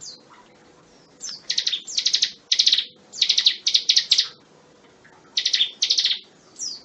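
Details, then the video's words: Bar-winged prinia singing, a tutor recording for training magpie-robins: short high trilled bursts of fast repeated chips, several phrases in close succession, then a brief gap before two more bursts. "Suara ciblek gunung"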